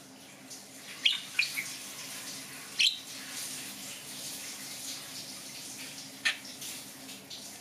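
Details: Pet budgerigar indoors, chattering while a cage stand is assembled: a few sharp, high chirps in two quick clusters, then one more after a pause, over a steady background hiss and a faint low hum.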